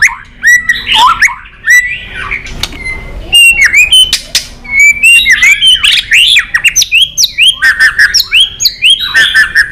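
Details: White-rumped shama in provoked rival song, switching voices often: bursts of rich whistled phrases, slurs and sharp clicks separated by brief gaps, growing denser and faster toward the end.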